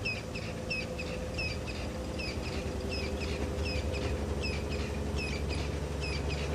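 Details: Crested francolin calling on a cold, misty early morning at Djuma private game reserve: rapid, harsh chattering notes repeated steadily, several per second, over a low engine rumble.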